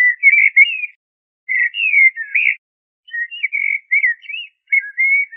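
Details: Several short, mellow phrases from a common blackbird: liquid, looping whistles repeated with brief silent gaps between them, with no background noise.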